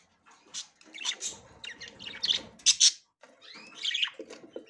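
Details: Female budgerigar checking the nest for the first time: rapid grating chatter notes with a few brief gaps, then a curved warbled whistle and a soft buzz at the close.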